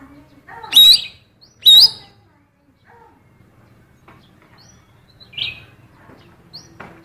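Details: Female magpie-robin phrases sung by a blue cucak keling as a lure for male magpie-robins: two loud, harsh, rising notes close together, then quieter scattered chips and a soft rasp.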